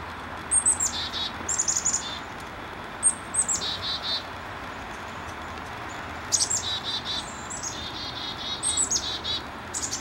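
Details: A chickadee mobbing a hawk, probably a Cooper's Hawk, near the end of a mobbing session, repeats its scolding chick-a-dee call about five times: thin high notes, then harsh buzzy dee notes, over faint camera hiss.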